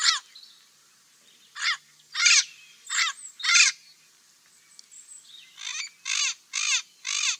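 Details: Parrot calling with loud, harsh, screechy squawks in short bursts, a pair early on, then a group of four rapid squawks near the end, with faint thinner chirps between them.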